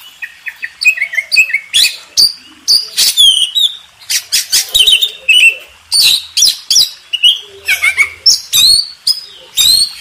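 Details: Oriental magpie-robin contest champion, master song for contest birds: harsh squawky rasps and short sharp whistles alternating in quick irregular bursts.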